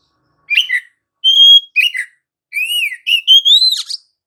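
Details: Oriental magpie-robin delivering continuous 'gacor ngerol' song as a lure for other magpie-robins: quick slurred chirps, a flat clear whistle, then arching whistles rising toward the end, in phrases about half a second long.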